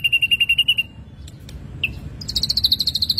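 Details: Ashy drongo in vigorous song: a quick string of sharp high notes, a short gap with faint clicks, one upslurred note, then a faster, higher run of repeated bright notes.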